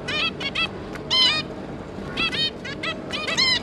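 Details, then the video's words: Zebra finch pair with their three juveniles, 5 August 2022, give nasal harmonic 'beep' calls in short bursts, several birds overlapping, over a low background hum. "Zebra Finch"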